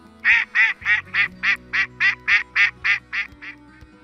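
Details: Mallard (Anas platyrhynchos) giving a steady run of about a dozen loud, nasal quacks, roughly three per second, over a faint low musical hum.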